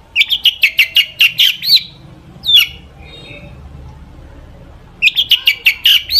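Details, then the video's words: Long-tailed shrike in lively mimicry-filled song, played to coax other shrikes into singing: a fast run of bright chattering notes, a lone swooping whistle and brief silence, then the rapid chatter returns. "cendet gacor FULL ISIAN buat PANCINGAN CENDET AGAR BUNYI"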